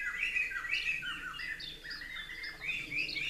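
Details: Two young Blue-crowned Laughingthrushes, fledged the day before, perched atop a conifer in an aviary while their parents feed them; rapid squawky, rising and falling calls about two a second, busy and overlapping.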